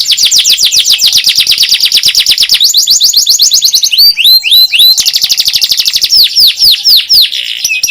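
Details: Canary song meant to teach young canaries to sing, continuous loud fast trills of repeated high notes with brief switches to swooping whistled phrases, shifting tour after tour without pause.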